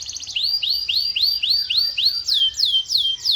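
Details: Singing canary delivering a rapid series of clear, upward-sweeping whistled notes about four per second, shifting into a higher, faster run of falling slurs.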